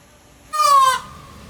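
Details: A peacock, displaying and dancing to win a peahen, gives one loud, nasal, brassy wail lasting about half a second, sliding slightly downward, against a quiet background.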